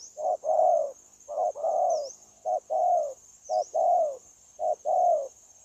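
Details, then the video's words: Spotted dove, a wild bird caught for trapping and decoy coaching, cooing persistently on 9 January 2024. Four tidy phrases, each a short hollow note leading into a longer falling coo, about one per second, over a steady faint high tone. "Bổi Quá Chịu Gù | Nết gù liền lạc liên tục"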